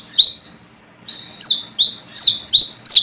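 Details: Brown-throated sunbird calling to challenge rivals: one high chirp, a short silence, then five quick, sharp, down-slurred notes in close succession.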